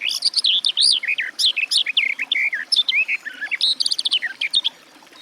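A Garden warbler pours out a fast, sustained, mellow warble of varied rising and falling notes, running almost unbroken for five seconds in quiet surroundings.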